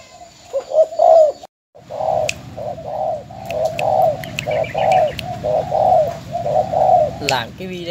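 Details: Spotted dove decoy from Ben Tre, Vietnam, caged and since sold: low hoarse coos repeated about once a second over a steady low hum, with faint clicks in the background.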